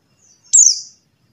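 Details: A single shrill, falling call note from a buxtoni white-eye, quick and very high-pitched, preceded by faint soft chips. It is played to prompt silent white-eyes to start singing.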